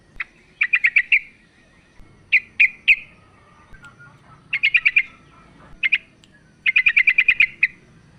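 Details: Female yellow-vented bulbul calling to a male. She gives quick chattering bursts of four to eight sharp, bright notes, separated by short pauses, with faint softer twitters in between.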